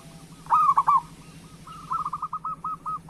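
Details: Local zebra dove song meant to coax lazy doves to sing: one loud rolling coo phrase followed by a run of quieter, quickly repeated soft coos, with a faint constant hum beneath.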